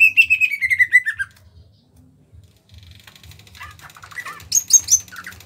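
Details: Greater green leafbird from Kalimantan, small-bodied and kept caged, gives a quick descending series of clear whistled notes, then a pause and scattered high chips and sharp whistles over a steady low pulsing background hum.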